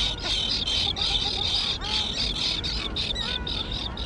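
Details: Young terns, recently fledged, at an island colony overgrown with dense grass: a dense chorus of harsh, high calls repeated rapidly and overlapping, several birds at once, over low rumbling wind noise.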